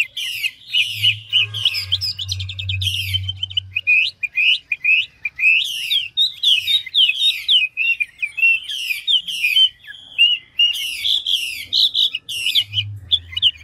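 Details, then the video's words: Rapid, ever-changing song of a big, fine-looking mature Chinese hwamei ('ngũ trường' type): bright whistled trills and harsh buzzy bursts follow one another without pause, with a low humming background early and late. "Họa mi ngũ trường đảo giọng tốc độ | garrulax canorus"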